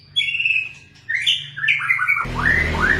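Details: White-rumped shama singing: clear whistled notes, then a sequence of falling slurred whistles, ending with loud raspy noise mixed with downward-sweeping whistles.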